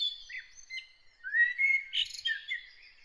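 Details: Morning song of a bird: a continuous three-second phrase of high twitters leading into a long rising whistle and a jumbled warbling finish.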